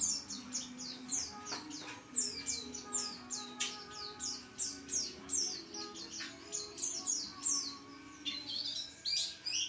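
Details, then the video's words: White-eye singing energetically: a rapid, unbroken stream of high, thin, sliding chirps and twitters, the notes bunched into quick bursts, with a faint low hum beneath. "pleci gacor"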